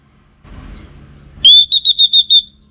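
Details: Orange-headed thrush (Geokichla citrina) song used as a lure recording: after a soft low rumble, a clear, high, pure whistled note warbles in about six quick pulses over one second.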